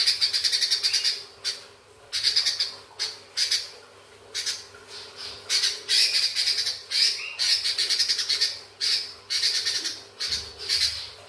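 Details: Sooty-headed bulbul, kept as a song bird, giving long chattering song: harsh, scratchy bursts in rapid uneven runs, each lasting about a second with short breaks, continuing throughout.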